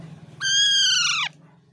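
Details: Single loud parrot screech lasting nearly a second, a strained nasal call with many harmonics, holding level and then falling away at the end, with a faint low hum behind it.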